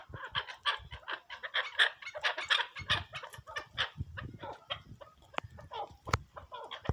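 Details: A partridge called Pakistani delivers a fast, scratchy series of clucking notes, loud and closely packed at first, then looser and softer, with a few sharp clicks.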